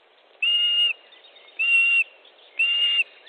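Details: Osprey at its nest in Estonia on 29 May 2014 at 18:12, calling during a fish delivery; three level, drawn-out whistles come about a second apart, each clear and steady, over a soft background hiss.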